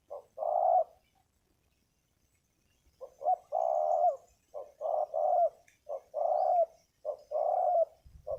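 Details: Wild spotted dove with a strong, big voice, used in ground decoy trapping: deep hollow cooing phrases, a short note followed by a longer rolling coo, repeated in bursts after a silent pause.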